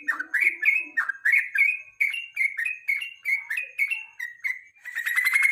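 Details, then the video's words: Evening lure song of a yellow-vented bulbul, used as a tutor for national-level songbird contests: quick chains of clear whistled and slurred notes with barely a break, ending in a brief harsh buzzy burst. "KICAU PANCINGAN BURUNG TRUCUK SORE HARI"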